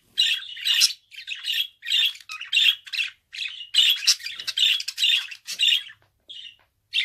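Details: Pet budgerigar chattering almost without pause, a dense run of scratchy squawks and chirps, each burst under half a second, closely spaced throughout.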